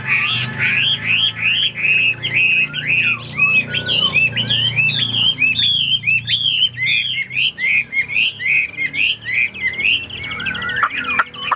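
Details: A tame captive Chinese hwamei delivers a long, fast stream of loud, varied whistles. Short looping phrases tumble one after another, with occasional downward slurs toward the end.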